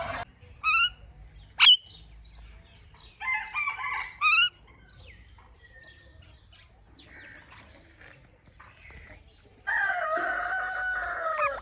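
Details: Indian ringneck parrot chirping naturally in its environment: sharp, steeply rising and falling chirps come in short bursts near the start and around four seconds, a quiet gap follows, then a sustained harsh, buzzy call closes the passage.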